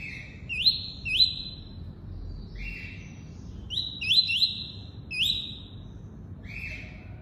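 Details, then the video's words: A double-collared seedeater sings the tuí-tuí type. Bright upward-sweeping notes end in level buzzy trills, some doubled or tripled, and alternate with lower buzzy notes. Phrases are spaced one to two seconds apart, with quiet low hum behind. "COLEIRO FLASH ENCARTE (TUÍ-TUÍ)"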